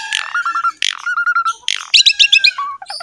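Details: Javan pied myna (jalak suren) training song: harsh squawks alternating with rapid series of clicking trill notes and fast chattering phrases, ending in short high whistles.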